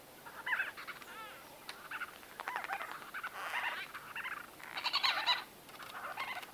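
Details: White-fronted bee-eaters in close conversation, continuous overlapping nasal chatter and buzzy squeaks from several birds, swelling and fading in short waves.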